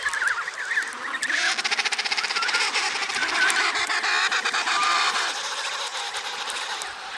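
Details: A dense chorus of thousands of emperor penguins recorded in Antarctica: countless trumpeting, warbling calls overlapping into one continuous roar.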